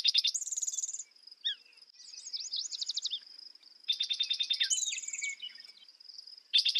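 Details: Spotted towhee songs in quick succession, each a clattering run of notes with a high buzz, mixed with sliding whistled notes from other birds over a continuous thin high drone.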